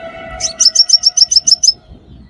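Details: Crimson sunbird call used as a trapping lure: a quick run of about ten sharp, high, thin chirps, evenly spaced over roughly a second, over a faint steady low hum.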